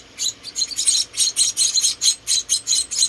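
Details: Rescued munia chicks, four in number, chirp high and thin during feeding, slower bursts of roughly two per second.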